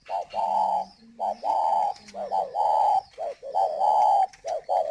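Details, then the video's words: Captive spotted dove decoy bird from Ba Vì, Hanoi, Vietnam, calling vigorously while moulting: a strong run of low hollow coos, some drawn out and some short, in uneven phrases. "Mồi còi Ba vì"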